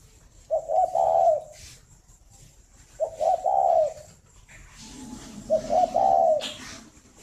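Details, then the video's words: Breeding spotted doves kept in a garden in Ba Vì, Hanoi, Vietnam, calling in the morning: three low, throaty cooing phrases, each stuttered then drawn out, repeated roughly every two and a half seconds over a faint low hum. "tiếng chim cu đẻ"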